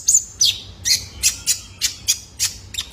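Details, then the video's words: Training call of a young male kolibri ninja for caged birds: harsh, buzzy high chips repeated about three per second at a fairly steady pace. "PANCINGAN KONIN BAHAN IKUT GACOR !! COCOK BUAT TERAPI KOLIBRI NINJA - SUARA ANAKAN JANTAN!!"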